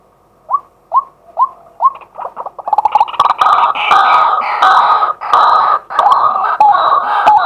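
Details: Recorded live by day with a fixed camera, a male White-breasted waterhen gives four evenly spaced rising notes, which then speed up and break into a loud, sustained burst of harsh, clattering croaks.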